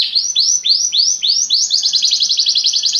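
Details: Belgian canary singing a rapid series of repeated rising swept notes, about four per second, then faster trilled phrases high in pitch, clean and loud with no other sounds.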